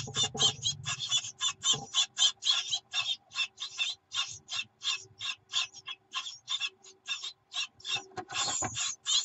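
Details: Great tit young on 24 June 2019, sluggish until the mother brings food, then calling hard: fast series of coarse, buzzing high notes about four per second, with a rustling thump at the start and near the end.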